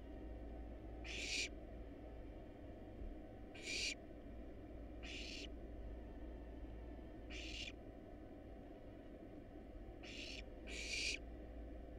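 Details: Hungry wild barn owl nestlings begging in a research nest box as they are fed rat and rabbit: six rasping, breathy hiss bursts at irregular intervals, two of them close together near the end, over a constant low drone.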